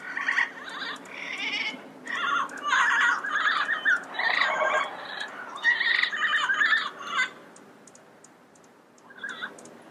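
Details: Yellow-headed amazon calling in a rapid string of raspy, chattering squawks for several seconds, then falling quiet before one last softer note.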